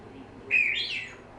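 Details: Six-month-old female pet African grey parrot whistling: one short, bright whistled note that rises and then bends down, lasting about half a second over quiet room background.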